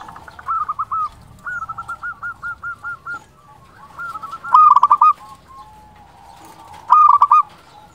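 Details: Actively calling local zebra dove used as a lure for other doves: a long series of rhythmic pulsed coos, a rattling run of evenly spaced notes, then two louder rolling bursts.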